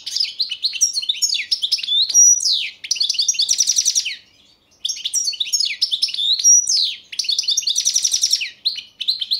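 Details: Balkan goldfinch, Carduelis carduelis balcanica, competition song entry for an internet world championship in Serbia: loud tinkling twittering phrases with liquid trills and buzzy rattling bursts, two phrases separated by a short pause, no other sounds.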